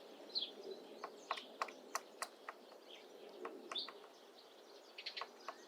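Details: Female Syrian woodpecker slowly carving a nest hole into an old apple tree in mid April: irregular dry, sharp taps and knocks, some in quick pairs, with high chirping calls of other birds in the background.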